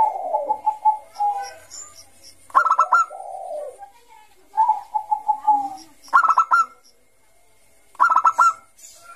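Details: Lively ngayer song of a Bangkok zebra dove, a lure for young doves: smooth low coos alternate with three sharp clusters of rapid clipped notes.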